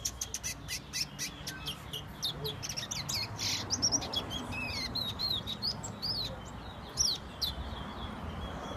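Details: Towa towa (chestnut-bellied seed finch) from Guyana whistling. Dry clicking and tapping noises come first, then sweet, high, sliding whistled phrases repeat in a quick warbling series to the end.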